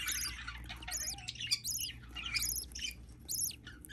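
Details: Budgie hatchling calling in a busy run of shrill, arched peeps that come in tight groups of two or three, with a low hum underneath.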